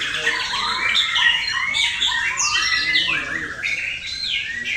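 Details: Contest-prepared male white-rumped shama in Indonesia singing a fast stream of descending whistled slurs and chattering notes, phrases tumbling over one another, with other birds audible behind.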